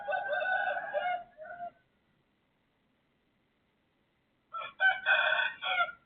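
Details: A rooster next door crows before dawn, 3:35 am, 18 December 2024: a long harsh harmonic crow with a short trailing note, silence, then a second loud, choppy crow.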